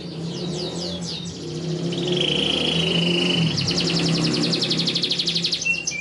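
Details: Canary song played as a master recording to teach young birds: quick high upslurred notes, then a steady thin whistled tone, then a fast pulsing trill, over a low background hum.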